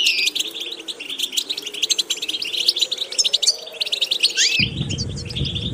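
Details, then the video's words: European goldfinch tutor song of fast liquid twittering and sharp chirps, with a rising buzzy note near the end, where a low rumbling noise suddenly enters under the final notes. "Watch how to develop a distinctive vocal character for the Goldfinch"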